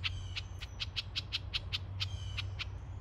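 A House Wren gives a quick run of about twelve sharp, high, scratchy notes, roughly four a second, over a steady low rumble.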